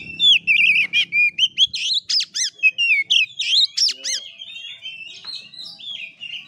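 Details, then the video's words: Oriental magpie-robin, fighting style called 'kura kura': energetic string of loud chirps, sharp rising-falling whistles and quick ticking notes, almost without pause, closing with softer warbling. "KACER NGEPLAY TARUNG|GAYA KURA KURA"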